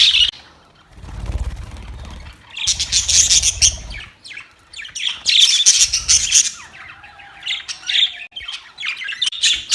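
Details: Bursts of shrill chirping and squeaky warbles from playing budgies, separated by quieter gaps, with a faint steady low tone in the second half.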